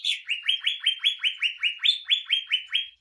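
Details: Greater green leafbird song in the "tembakan mesin jahit" style, meant to train and provoke other birds: a machine-gun-like series of about fifteen evenly spaced buzzy notes, each sliding slightly upward.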